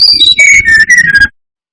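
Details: Brown-chested jungle flycatcher in full song, a lure meant to provoke rival birds: a quick run of clear whistled notes stepping down from high to lower pitch, ending after little more than a second.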